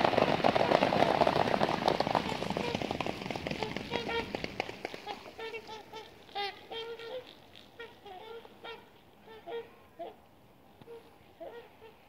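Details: Trumpeter swans airborne at sunset after a group takeoff: a loud rushing roar of wings and water fades out over the first five seconds, then scattered brassy, nasal honks sound at intervals as the flock moves away.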